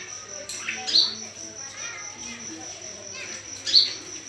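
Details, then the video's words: Olive-backed sunbird lure call: two isolated sharp high chirps almost three seconds apart, fairly faint against a constant thin high hum and soft low murmuring. "Pancingan Kolibri Kelapa"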